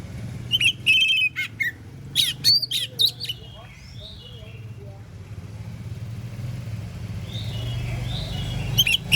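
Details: Oriental magpie-robin singing in the morning, prompting other magpie-robins to answer. Loud, clear whistled notes and short trills crowd the first three seconds. Low traffic rumble and faint background chatter follow.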